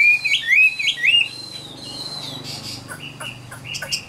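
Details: Caged Chinese hwamei from Vietnam, a wild-caught adult 'Tam Hoàng'. Three loud, curling whistled phrases open the recording, followed by quiet, scattered short notes and a faint background hum.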